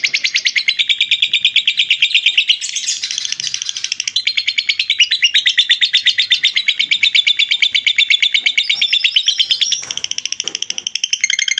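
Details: Long lovebird ngekek chatter for training other birds: an unbroken, fast rhythmic rattle of strident high notes lasting over ten seconds, with small pitch shifts and a brief dip in loudness near the end.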